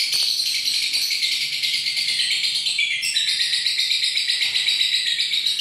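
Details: Lovebird in a long, unbroken stretch of song: a dense, high, shimmering chatter of rapid trills without pauses, with a brief shift in tone midway.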